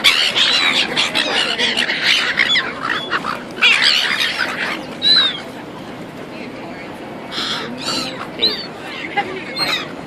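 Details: Seagulls in Auckland, New Zealand, not fishing: a noisy flock with overlapping harsh squawks and short downslurred cries, busiest in the first half and sparser later, over constant background rush.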